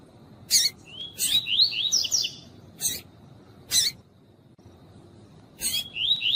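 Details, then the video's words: Double-collared seedeater, a female calling to warm up a cold male; short upslurred whistles strung into warbling phrases, separated by several harsh broadband clicks spaced about a second apart, with a fresh phrase starting at the end. "COLEIRO TUÍ-TUÍ COM FÊMEA CHAMANDO PARA ESQUENTAR COLEIRO TUI TUI"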